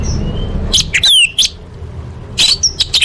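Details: Orange-headed thrush song in a full, imitation-filled competition style used as training material: loud sharp chirps, a descending slurred whistle, and bursts of high clipped notes separated by short gaps, with low rumbling background.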